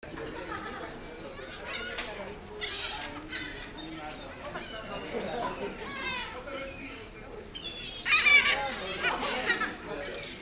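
Great black-backed gull: harsh, nasal barking calls in irregular bursts, some in quick laughing series, with other gulls calling in the background.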